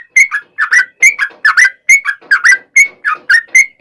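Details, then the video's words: Lure song of the trucukan, or sooty-headed bulbul, sung vigorously at length to provoke replies; paired bubbly whistled notes, one rising and one falling, repeated roughly every third of a second. "KICAU SUARA trucukan gacor ropel panjang pancingan trucukan agar bunyi MENJADIKAN trucuk gacor NYAUT"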